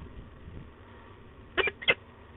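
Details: Grumbling female peregrine falcon at De Mortel, 15 October 2021, giving two quick rasping notes in succession after a quiet stretch of low hum.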